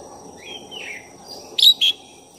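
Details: Black-breasted oriental magpie-robin song meant to provoke another bird. A soft falling whistle leads into two short, loud, rich chirping notes close together near the end.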